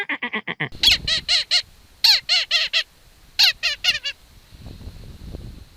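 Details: A Hawaiian petrel (wa'u) calls in darkness in the Upper Manoa mountains near its burrows: rapid bursts of short, nasal, harmonic 'ooh' notes in groups of four or five, then quiet with faint rustling.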